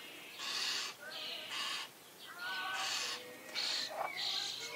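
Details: Common starling chicks being fed in a garden, giving loud harsh rasping begging bursts, each about half a second long, repeated five times with short pauses between them.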